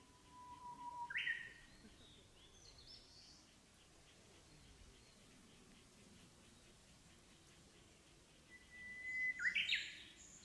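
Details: Japanese bush warbler singing in the Japanese countryside in spring, breeding season: a long, steady whistle followed by a quick rising, twisting flourish, given twice about eight seconds apart, with a faint rural background.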